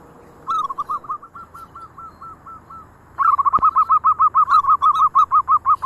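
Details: Local zebra doves from Indonesia, others joining as one sings: a softer, slowing line of separate coos, then a sudden loud, fast, steady train of repeated rolling notes from several birds together.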